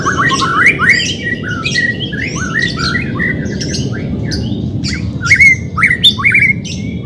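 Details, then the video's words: White-rumped shama song, played to encourage a reluctant bird to sing: harsh squawky chirps mixed with slurred whistled phrases in irregular bursts, over low background noise. "CARA MELATIH BURUNG MURAI BATU MALES BUNYI"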